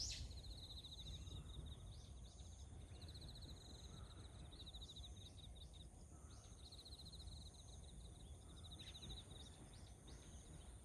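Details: Azure-winged magpies calling on 29 September 2024: repeated short raspy, buzzy rattling notes in bursts over steady low background rumble.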